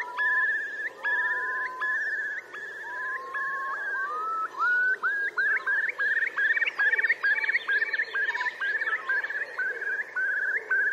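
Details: Eurasian curlew males displaying for mates in late April 2021 beside Tindale Tarn, Geltsdale: slow rising whistles speed up into a rapid bubbling trill of short upswept notes, repeated many times a second.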